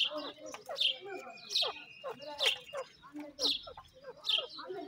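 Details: Grey francolin chicks peeping: loud, shrill notes repeat roughly every three-quarters of a second, each followed by quieter lower twitters. A thin, steady tone lingers briefly near the start.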